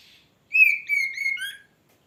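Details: Short oriental magpie-robin phrase: a strong whistled note followed by a series of level, slightly falling whistles and a lower closing note.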